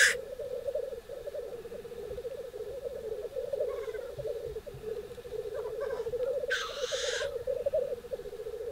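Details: Black grouse at a lek in northern Sweden, April 2021: males bubble and coo in a steady, rolling, dove-like murmur throughout, with a sharp hissing sneeze near the end and a few faint chirps.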